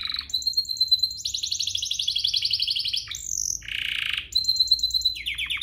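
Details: Canary song used as a lure to stir other canaries into singing: rapid high buzzy trills, a long steady whistled note, a brief harsh burst near the middle, then fast rolling tours resuming.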